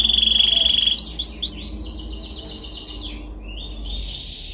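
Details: Dominant canary song meant for training: a rapid even trill held on one high pitch, then a few quick upslurred notes and a softer descending warble, over a low steady hum.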